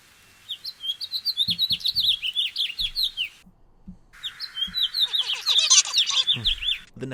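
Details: House finch song, sung by both sexes around courtship time, in two long, rambling phrases of fast, bright warbled notes, sliding up and down and ending in a burry run; a few faint low thumps underneath.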